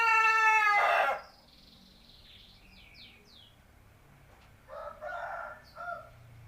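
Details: Seven-month-old native chicken crowing: one loud harsh crow in the first second with stacked harmonics, then faint high chirps and a quieter second crow-like call near five seconds.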